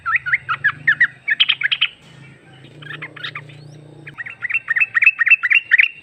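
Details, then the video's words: Female sooty-headed bulbul calling the male as a lure: quick series of bubbly chirped notes, a middle stretch of mixed louder notes over a low droning hum, then another steady run of looping chirps. "Trucuk betina memanggil jantan"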